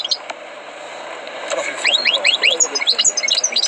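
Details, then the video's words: Tutored European goldfinch song: a short run of quick, rising, slurred notes, then scattered sharp high twitters, with background hiss throughout. "غناء حسون قمة في الأداء غلطة لا _Chant du chardonneret"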